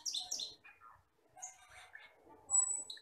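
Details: Asian glossy starling, a wild forest bird, deep black with red eyes, in a tutor recording for training cage birds: sharp high chirps and short buzzy notes, then a quiet gap and a long thin high whistle near the end.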